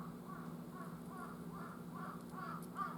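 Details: Wild jungle crow cawing on 18 October just before midday: six harmonic, slightly rising-then-falling caws in a steady series about every half second, over a constant low hum.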